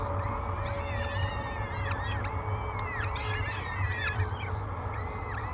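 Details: Nest-camera recording of three hungry peregrine falcon chicks at breakfast, Great Spirit Bluff, 24 May 2022: steady stream of harsh, bowed, wailing cries repeated about every half second, backed by low rumbling noise.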